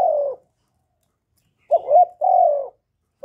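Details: Spotted dove calling to lure other doves, recorded live without background noise: a low, hollow two-part coo, a short rising note then a long steady coo, plus the tail of a coo at the start.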